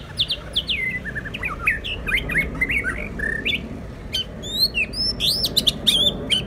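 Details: White-rumped shamas contesting in song: fast sequences of crisp whistled notes, many sweeping downward, followed by sharp high rising slurs and clicks, heard over soft background hiss.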